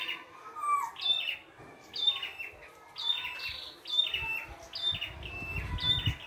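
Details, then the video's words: Wild red-headed prenjak singing in the open, phrases of sharp high chips and squeaky slurred notes repeated about every second, with soft low rumbling noise toward the end. "PRENJAK KEPALA MERAH GOCOR FULL ISIAN"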